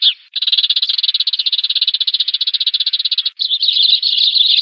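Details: Sparrow flock-calling lure sound for trapping: one long rapid rattling trill of even pulses, followed by a rougher, faster buzzing stretch.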